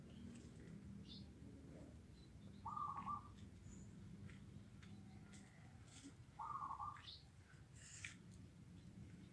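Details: Morning zebra dove call: two brief, rolling, trilled coos about four seconds apart over steady low background rumble, with faint thin chirps from other birds higher up.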